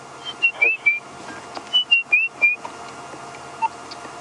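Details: On a calm evening around sunset on an African safari drive, 2 March 2016, a robin sings two short phrases of clear, sliding whistles, the second repeating the first after a second's pause, over a steady low hum.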